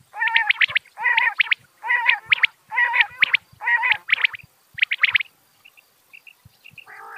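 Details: Quail uttering rich, layered bursts of three or four rapid notes, repeated about every 0.7 seconds for several seconds. The bursts are followed by faint soft pips and a final lower buzzy note.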